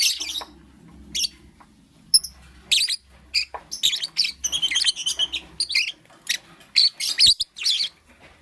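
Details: Lovebird chirping in the morning: a steady flurry of loud, shrill, clipped chirps and squeaks that come in rapid irregular series, with faint low murmuring in the background.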